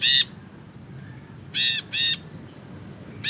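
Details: Ashy bulbul in vigorous long 'ngekek' style: a handful of spaced, scratchy nasal notes, one at the start, a close pair midway and another at the very end, with faint low hum behind.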